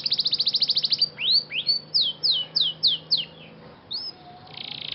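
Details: Scotch Fancy canary singing in training: a fast trill, then about eight loud falling swoops at an even pace, a pause, one more swoop and a short buzzy rattle.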